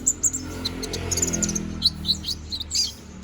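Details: Konin bird, a young, balding bird regrowing its feathers, singing constantly: high, thin chirps and short sharp twitters in quick, irregular bursts, with a faint low hum underneath.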